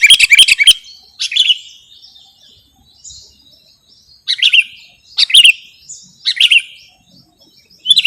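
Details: Sooty-headed bulbul in lure and masteran material: short bubbly phrases of warbled notes roughly every second, separated by quiet gaps, opening with a loud chattering burst.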